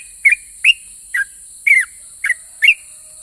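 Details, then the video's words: Yellow-vented bulbul singing in ropel pajang style, meant to draw replies from other bulbuls: six short rounded whistled phrases, several with a quick downward twist, about two per second, over continuous hiss. "KICAU SUARA trucukan gacor Ropel pajang ini RAJANYA BIKIN NYAUT trucuk lain"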